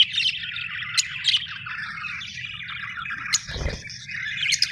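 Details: Budgerigars chattering in a continuous, scratchy warble of quick high notes, with a brief low thump partway through.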